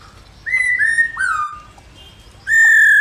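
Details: A female black-throated laughingthrush calls continuously to stimulate males, giving four clear whistled notes, each level then gently falling. Three come quickly together, then a stronger one follows after a short pause.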